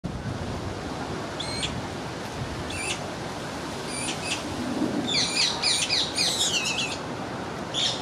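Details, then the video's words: Young Eurasian magpie in a rose garden chasing its parent and begging for a share of peanuts; short harsh squeaky calls in spaced pairs, then a rapid burst of scratchy chattering notes near the end, over steady broadband background noise. "Insatiable young Magpie"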